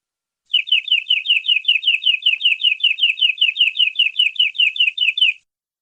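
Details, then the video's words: Canary song used for tutoring young birds: a slower, distinct trill of about twenty-five chirpy downslurred notes, roughly five per second, lasting five seconds before falling silent. "MASTERAN BURUNG KENARI PANJANG"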